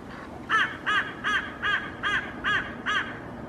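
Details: Hooded crows in a Helsinki park, Finland, on 8 May 2024, mobbing and chasing off a common raven that carries pieces of a feral pigeon; six harsh, hoarse caws spaced about every 0.4 seconds, with faint background hiss.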